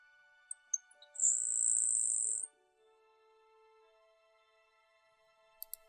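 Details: Grasshopper Sparrow in Ontario, Canada, open-grassland species, giving a few thin, high ticks then a long, dry, insect-like buzz of about a second; its song is very quiet for a sparrow. Soft background music plays throughout.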